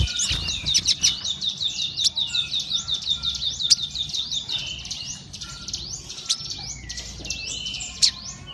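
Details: Crimson sunbird singing energetically: quick, high, repeated chirping phrases about three per second, each a rising-falling sweep, fading into scattered thin whistles and sharp ticks with faint background hiss.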